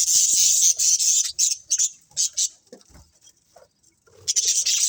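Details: Colourful budgerigars in a colony chirp in dense, hissy high bursts, loud at the start and end with a quieter gap of scattered clicks and faint low thumps in the middle.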